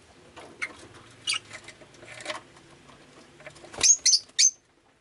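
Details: Rosy-faced lovebird on a rainy day: soft rustling and faint chirps build to three loud, shrill, rasping chirps close together near the end, then silence.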